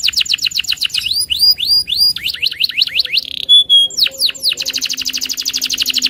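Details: Fired-up loper canary challenging an opponent with song: a series of descending swept notes, then rising upslurred phrases, a brief buzzy whistle, and a closing dense rapid trill.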